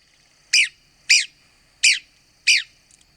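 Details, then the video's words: Red-cockaded woodpecker from the southeastern United States giving four sharp, raspy high notes, each short and descending, spaced about two-thirds of a second apart against a faint steady high hum. "Red-cockaded Woodpecker Calls & Sounds"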